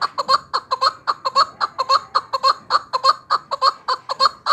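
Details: Chukar partridge recorded for hunting, giving rhythmic clucking notes that run into chattering, almost laughing bursts, roughly two each second and evenly loud.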